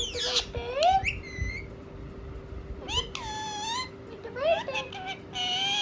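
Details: A rose-ringed parakeet (ringneck) talks in squeaky, nasal bursts with rising whistled slides, four or five short phrases over six seconds, over a steady low hum.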